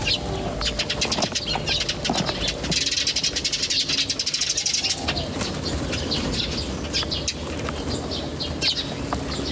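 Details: Birds twittering in nature: fast, rapidly repeated high chirps forming trill-like runs, then scattered single chirps, over continuous low background rumble.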